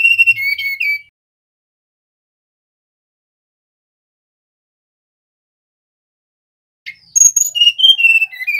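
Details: Male mangrove blue flycatcher whistling: the end of one phrase, a six-second pause, then a fuller phrase of bright, high notes cascading down in pitch.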